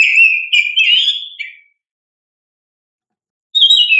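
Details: Energetic oriental magpie-robin song for prompting young birds to respond: a long continuous phrase of rising and wavering whistles with quick trills, a silent pause, then a falling whistle.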